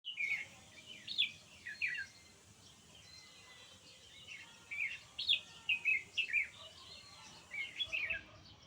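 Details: Nightingale singing in short bursts of bright, slurred chirps and twittering notes, clustered at the start, in the middle and near the end, with quieter gaps between; a soft steady hiss runs underneath.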